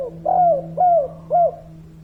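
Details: Three rounded, arched coos from a lively local spotted dove in kuk 3 style, evenly spaced about half a second apart, with a continuous low electrical hum behind them.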